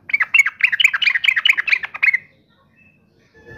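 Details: Yellow-vented bulbul song intended to provoke rival bulbuls to answer furiously: about two seconds of rapid, bubbly, chattering phrases of mid-pitched notes, then quiet.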